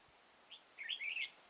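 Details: Red-whiskered bulbul, trapping at Kim Bôi, Hòa Bình, Vietnam, 6 April 2017: one brief note, then a quick, lively warbled phrase of several tumbling notes lasting about half a second.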